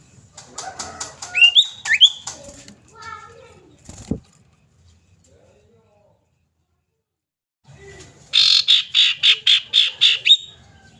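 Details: Female common iora calling to a male, used as a lure: twisting whistled notes among mixed clatter, a short silence, then a rapid harsh rattle of evenly spaced buzzy notes, roughly four a second.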